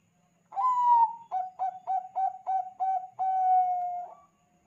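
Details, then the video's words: Bangkok-type zebra dove singing as a lure to get other doves calling: a long sliding coo, then a run of six short clipped coos, ending in another drawn-out coo, all on a low even pitch in a quiet setting. "SUARA BURUNG PERKUTUT BANGKOK GACOR AMPUH UNTUK PANCINGAN SEMUA PERKUTUT LANGSUNG BUNYI"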